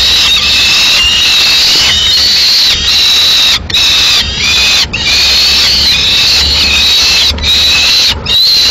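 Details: Peregrine falcon nest in Madrid, 21 May 2016: the female brings a piece of pigeon to feed the two chicks left in the nest. Harsh, drawn-out screeching with rich harmonics runs almost without pause, broken by a few short gaps.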